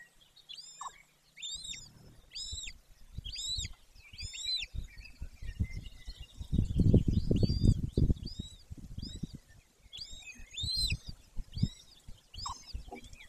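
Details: Romanian golden eagle nest in Bucovina's Carpathian Mountains, 18 May 2024, 14:19, occupied by a female and male: repeated high arched whistles roughly every second, with loud low rumbling and thumping through the middle.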